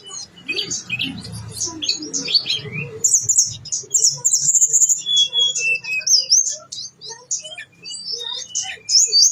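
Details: Blue-winged leafbird (tledekan gunung) singing vigorously, all fill-in phrases delivered: first a jumble of chattering notes over low rumbling, then a rapid trill of high clear whistles followed by varied short slurred phrases.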